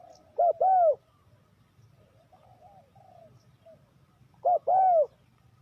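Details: Two separate calls of a spotted dove, played to lure wild doves into traps, each a quick coo followed by a longer rounded coo, with faint quiet notes from other birds between them.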